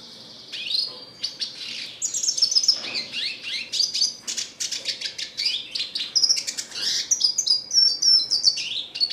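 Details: Red siskin song: a dense, continuous twittering of high, fast chirps, buzzy trills and short whistled notes that sweep up and down, delivered in rapid bursts several times a second with hardly a pause.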